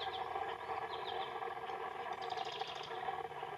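Marsh wren giving quick, rattling bursts of high notes, the longest trill near the end, over a steady low hum of background noise.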